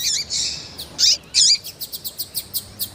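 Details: High chirps and two emphatic wavering notes from a female Double-collared seedeater calling to stimulate males. A rhythmic series of short, evenly spaced ticks follows.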